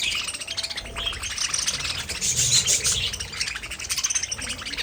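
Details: Budgies in a group give busy, overlapping high chirps and scratchy warbling, swelling louder around the middle of the stretch, with a few thin whistled notes on top.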